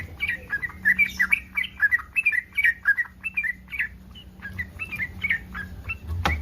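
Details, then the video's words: Breeding yellow-vented bulbul's provoking mating call: a chain of quick bubbly chirps, some swooping down in pitch, continuing for about six seconds over a faint low hum, ending with a sharp click. "SUARA BURUNG TRUCUKAN BIRAHI 100% BURUNG TRUCUKAN LAIN AKAN RESPON"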